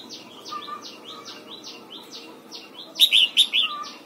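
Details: Red-whiskered bulbul during morning song training aimed at the double-note wild-style song: soft, sharp downslurred chirps repeat about twice a second, then a loud, rich phrase of three or four warbled whistles bursts in.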